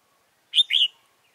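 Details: A red-whiskered bulbul used as a decoy to lure wild birds during trapping, 28 February 2017. It gives one short, bright phrase of two fast warbled notes, then silence.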